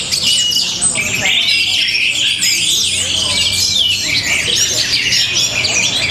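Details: Orange-headed thrush from Bali singing a powerful, unbroken song of high twittering phrases, long sliding whistles and rapid chirps crowded together.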